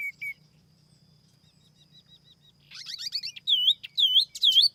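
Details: Silver-eared laughingthrush used as a lure gives two short whistles, a soft series of faint notes, then a flurry of chattering notes and loud swooping whistles.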